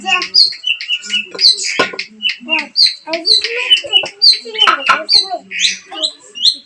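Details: Long-tailed shrike singing, played to stir a silent bird into song: rapid run of scratchy chirps, harsh notes and short whistles, high and jumbled, with brief pauses between phrases.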